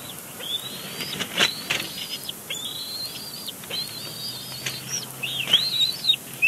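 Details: Bald eagle chick at a Big Bear Lake nest in April 2022, complaining at its father during a tantrum; quick series of high whistled squeals, some rising, some breaking into excited chatter, with faint low hum.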